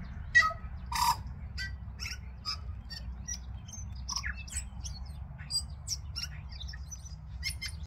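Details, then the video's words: Tui singing in New Zealand: an irregular run of sharp clicks, short pure notes and scratchy broadband bursts that jump between low and very high pitches, with a steady low rumble underneath. "tui song"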